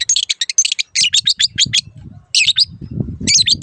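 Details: Long-tailed shrike song from a training recording for caged birds that have gone quiet or moved owners: rapid runs of high, harsh chattering notes, a short break, then more scratchy bursts with low murmuring noise beneath.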